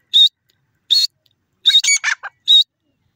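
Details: Grey francolin, known locally as teetar. Loud whistled notes are repeated about every 0.7 seconds, with a harsher cluster of rasping notes in the middle.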